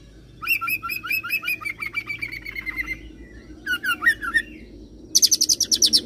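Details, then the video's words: Singing oriental magpie-robin, its rolled song joined with cililin and serindit mimicry: a fast series of repeated sharp chirps, a brief curling whistle, then a shrill, rapid high-pitched trill closing the phrase. "KACER ROLL CILILIN SAMBUNG SERINDIT"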